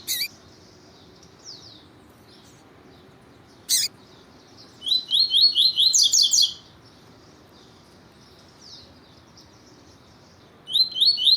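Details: Tutor song of a double-collared seedeater in the 'tui tui zel zel' style for training young birds: a faint thin warble, then a loud fast run of repeated high notes, with isolated sharp clicks.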